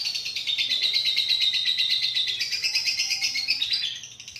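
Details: Lovebird giving a long 'ngekek' trill: a fast, even, high chattering rattle held for about four seconds, then fading at the end.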